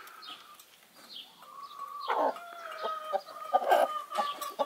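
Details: Broody Brahma hen off her nest for a daily break to empty her gut, eat, drink and preen, running about while calling. Drawn-out tonal notes held level, then loud harsh clucks, with faint high chirps behind.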